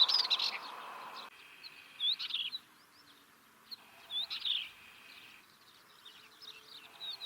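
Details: Northern wheatear song: short, scratchy, high phrases with a few whistled notes, about every two seconds, with a brief burst of rushing noise at the start.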